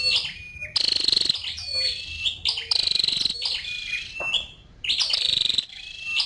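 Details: A female scarlet-backed flowerpecker gives bursts of rapid, buzzy, trilled notes alternating with thin downslurred chips and brief twitters, high-pitched and repeated in clusters with short gaps.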